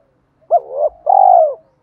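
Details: A spotted dove in the thổ voice style gives one phrase of a fight-provoking challenge call with calling song: a brief rising-falling coo, then a sustained rough coo that gently descends, with no other sounds.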